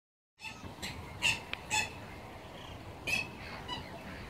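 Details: Black swan at Karkarook Park gives three or four short, high, bugling notes spaced irregularly over a few seconds against steady background hiss.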